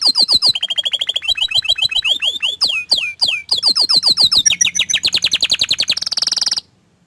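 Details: Song of an orange frost canary: varied rapid phrases of sweeping whistles and chattering notes, shifting into a quick rising series and ending in a dense high buzzy trill before stopping abruptly.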